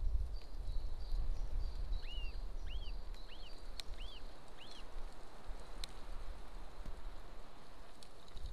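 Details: [1, 'likely', 'call', 'Golden eagle at a nest camera in Estonia near a military training ground, 26 April 2024 at 13:50: five thin, high, arched yelping notes in a loose series about half a second apart, over steady low rumble and a faint continuous high whine.']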